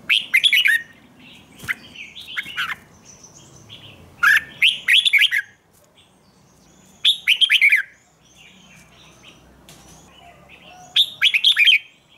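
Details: Red-whiskered bulbul singing for morning training: four loud bursts of quick, rich warbled notes about three seconds apart, with softer chirps and a faint low murmur between them.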